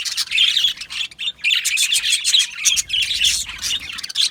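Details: Australian budgies chattering in an aviary, continuous rapid high chirps and warbling squeaks with short breaks, several birds calling together.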